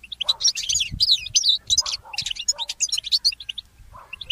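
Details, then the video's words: Goldfinch mule singing in the early morning hours, a fast, bright twittering song of high chirps and trills in quick bursts, with brief pauses between phrases, over faint low thuds. "The inspiring Motif of the Mule Goldfinch"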